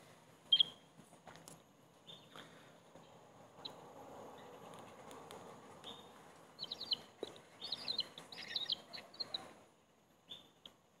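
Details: Bald eagle eaglets at their nest while the eldest sibling brutally attacks the third chick. A few isolated sharp, high chirps come first, then a burst of arched, squealing chirps near the end over a soft rustling background.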